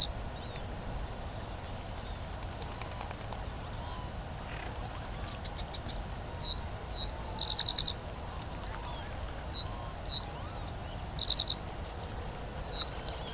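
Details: Reed bunting at RSPB Dungeness in June 2025, on a cooler, cloudy evening, gives thin, high, down-slurred 'tseeu' calls about once a second, with two brief dry rattling bursts, over faint background hiss.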